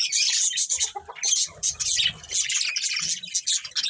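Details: Chirping from budgerigars in a colony that includes a breeding pair: rapid, shrill, overlapping twitters and warbles that rise and fall in quick pulses with almost no silence.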